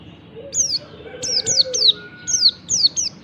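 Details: Oriental white-eye, kecial type, giving its morning ngalas song to spur other white-eyes: high, sweet notes sliding down in quick succession, grouped in twos and threes, over a faint low hum.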